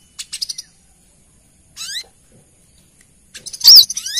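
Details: Calling female Brown-throated sunbird, a lure recording for males. Brief high ticking, a quiet pause, a buzzy rising sweep, then a loud, sharp arched note amid rapid thin ticks.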